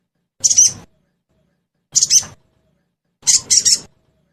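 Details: Sogon sound used as a lure to make caged sogon birds respond and sing: three harsh, buzzy, high-pitched bursts, each about half a second long with two or three pulses, separated by pauses of over a second, against silence.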